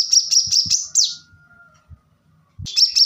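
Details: Plain-throated sunbird (kolibri kelapa) singing a fast series of high, thin, down-slurred notes for about a second, then a falling sweep, a long quiet gap, and a brief return of the shrill trilling.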